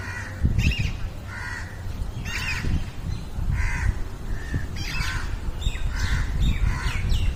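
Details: A house crow in a jamun (Java plum) tree gives harsh, hoarse caws, about one a second, some doubled, over a steady low rumble of wind or distant traffic.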